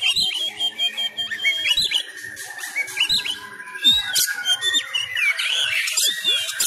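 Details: Caged Oriental magpie-robin from Sumatra trained at home, fighting-style song: sweet whistled phrases and chirps mixed with buzzy notes and occasional clicks.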